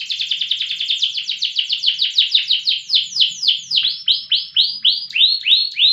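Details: Accomplished loper canary delivering a loud, sustained song: a dense run of quick repeated notes slowing gradually into separate down-curving whistled chips near the end.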